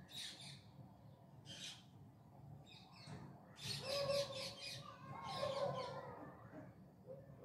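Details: Parrots calling in the evening in Bangalore city, India: spaced bursts of scratchy high screeches, joined midway by a steady lower tonal note held about a second, over low city hum.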